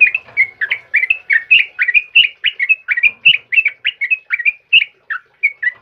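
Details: Sooty-headed bulbul, trucukan kebo type, singing in the morning: a fast run of about twenty bright whistled notes, rising and falling, in a steady near-continuous stream with little background.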